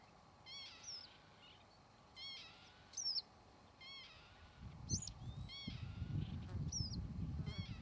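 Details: Repeated wheezy, mewing calls of a Northern lapwing, arched harmonic notes spaced about a second apart mixed with higher squealing slurs, while a low rumble of wind grows in the second half.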